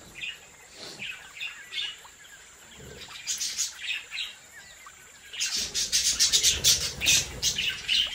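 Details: Captive budgerigars in a home breeding flock chirp in scattered high bursts, quiet at first, then a dense run of overlapping bright chirps in the last three seconds over a steady high hiss.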